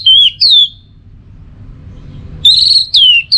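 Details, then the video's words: Orange-headed thrush, Singaraja in North Bali, teler song for prompting: two rich downslurred whistles, a silent pause, then three more drawn-out whistled phrases. "Masteran sekaligus Pancingan Burung ANIS MERAH Agar Selalu Bisa Menikmati Telernya setiap saat"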